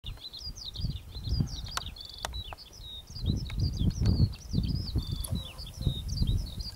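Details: A Eurasian skylark pours out an unbroken stream of high, rapid chirping and trilling notes in flight, seemingly in rhythm with its wingbeats, over a steady low rumble of wind.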